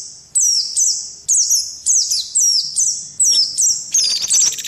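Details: Lure call of the Indian white-eye, a selected mix meant to draw quick responses: sharp, high, down-slurred chirps in short phrases roughly every half second, ending with a rattling buzz.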